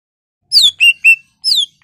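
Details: Greater green leafbird song used to stimulate other leafbirds to sing: loud whistled notes, some sliding down, others short and flat, in a brief burst with gaps between phrases.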